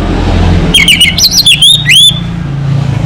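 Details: Anis Merah, the orange-headed thrush, gives a loud phrase of looping, slurred whistles rising and falling with quick chattery notes between, about one and a half seconds long, against low rumbling noise.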